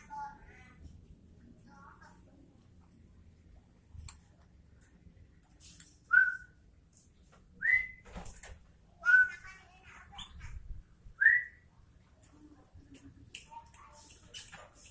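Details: Sooty-headed bulbul, called kutilang, giving four clear, short rising whistles spaced about one and a half seconds apart, amid scattered soft clicks and a quiet background.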